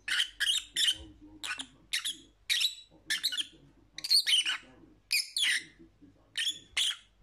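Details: Lovebird giving loud, shrill squeaky chirps, singly and in short clusters, spaced about half a second to a second apart, with a faint low background hum.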